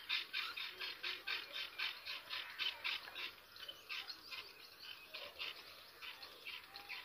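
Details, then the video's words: Myna chicks begging while their mother feeds them, giving harsh, raspy squawks about four times a second in a steady, insistent stream, with faint background hiss. "Myna bird chicks born chirping and mother myna feeds his small chicks"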